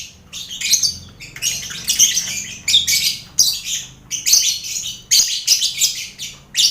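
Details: Lovebirds in a busy colony cage shared with finches and quail, recorded as mental training for lovebirds headed to a bird contest; shrill, harsh, scratchy chatter in rapid overlapping bursts of about half a second, almost without pause.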